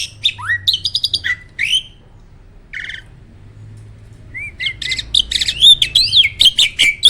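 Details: Song of a contest jalak, a caged starling whose loud, incessant calls are said to rile other birds: sharp chattering phrases and a falling whistle, a near-silent gap with one short note, then rapid varied trills return.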